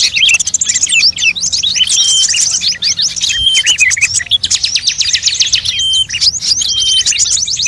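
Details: Mixed bird lure for attracting birds of many kinds. Rapid high chirps and warbling slides overlap, with sharp clipped notes and occasional thin sustained whistles among the chatter.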